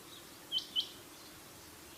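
Rain quail giving two sharp, high, metallic notes a quarter-second apart, with a third starting at the end, over a quiet background hiss.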